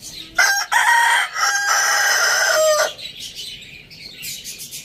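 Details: Village farm rooster giving one loud crow of about two and a half seconds, short stuttering opening notes leading into a long strained held note that drops at the end, followed by faint chirping from small birds.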